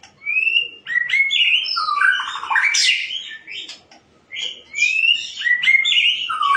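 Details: Loud, clear white-rumped shama song with rising whistled notes, rapid trills and a sharp buzzy climax, a short pause, then more rising whistles and warbles.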